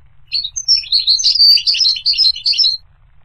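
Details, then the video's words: A continuous goldfinch phrase of about two and a half seconds, liquid twittering notes sliding up and down in quick succession, bright and high-pitched. "The Resonant Chirping of the Goldfinch Bird"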